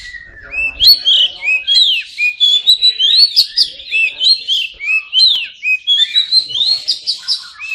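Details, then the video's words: Oriental magpie-robin in full song, aimed at silent birds: a continuous run of bright, looping whistles and sharp chips, each phrase short and varied, rising and dipping in rapid succession with barely a pause. "Kacer pasti nyamber dan gacor klo dengar ini"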